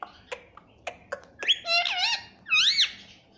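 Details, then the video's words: Pet ringneck parrot kept as a talking bird, said to say "mummy": a few soft clicks, then two drawn-out nasal, harmonic utterances, the second swooping up and down, in a small room. "Talking parrot || talking parrot mummy papa || bolne wala tota"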